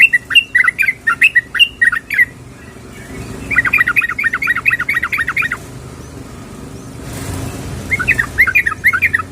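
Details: Female yellow-vented bulbul calling the male. Quick chattering bursts of bubbly, warbled notes, each burst about two seconds long and separated by short pauses, over a faint low hum.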